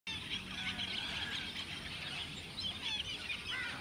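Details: A large flock of black-tailed godwits (Limosa limosa) filling a lake keeps up a dense, overlapping chatter of nasal, high-pitched calls, with a faint steady high hiss behind.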